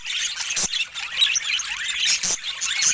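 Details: Chirping budgerigars, a steady stream of high warbling twitters and squeaks from several birds, with two loud clicks in between.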